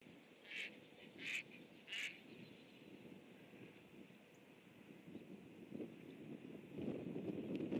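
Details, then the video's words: Geese flying off below a camera, recorded 19 January 2015; three loud honking calls in the first two seconds, then quieter rustling and a broad low noise burst toward the end. "GEESE FLY OFF BELOW CAM"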